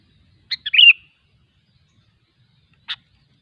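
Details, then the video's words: Sooty-headed bulbul in the wild gives one brief, bubbly, warbled phrase of clipped notes slurring downward, followed after two seconds by a single sharp chip, with otherwise silent surroundings. "suara burung kutilang ASLI ALAM LIAR"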